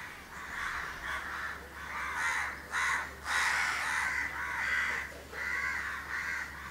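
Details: A pair of house crows grooming each other in Candolim, Goa, India, December 2010, giving harsh, rasping caws in short bursts, several in a row with brief pauses between.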